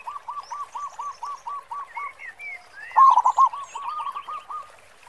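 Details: Zebra dove, local Indonesian bird with a big 'khong' voice, recorded as lure song: a steady train of about a dozen short, even coos, then a louder rolling cluster, while other birds whistle and chirp higher.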